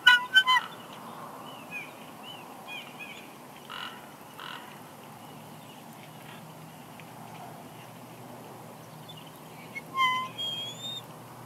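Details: Female bald eagle at Big Bear Lake, California, 6 March 2021, whining while going to and eating a headless fish brought by the male; a burst of sharp, harmonic squeals at the start, faint notes between, then renewed squeals near the end.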